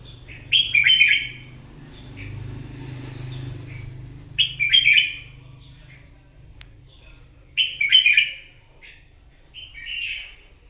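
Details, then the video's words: Red-whiskered bulbul, a wild-caught bird, singing a challenge song in the morning: three bursts of bright, chattering warbles with short whistled tails, about every three to four seconds, over a steady low hum. "Kích chào mào bổi hót đấu " luyện giọng chào mào hót buổi sáng kích chim hót đấu căng lửa"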